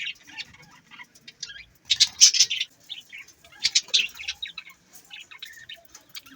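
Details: Budgerigars give quick twittering chirps and scratchy warbles, louder clusters near the middle and scattered softer notes around them.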